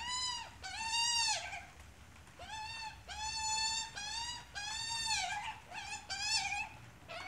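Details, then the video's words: Australian magpie and chick at close range: long, loud, nasal calls with stacked harmonics, each rising then holding level, repeated in a steady series with brief gaps, some ending in harsh, broken notes. "Australia magpie and chick"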